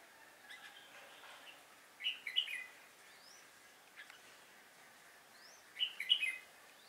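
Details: Decoy red-whiskered bulbul singing a fighting song at a trap on 10 December 2016; two brief chirpy warbled bursts about four seconds apart, with faint thin whistles from other birds between them and a soft hiss.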